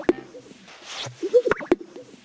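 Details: Greater sage-grouse male in courtship display to attract females, who can hear it up to two miles away: soft swishing of wings against stiff feathers and low coos, then sharp, hollow pops from the inflated vocal sacs, two close together near the end.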